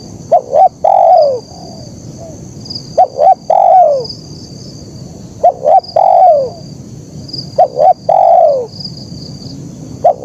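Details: Spotted dove cooing in the 'kuk 1' style: four phrases roughly every two seconds. Each is two short clipped notes and then a longer coo that slides downward. A faint, continuous high-pitched hum sits in the background.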